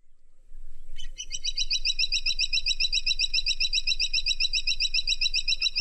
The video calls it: Suara Burung Caladi Tikotok Variasi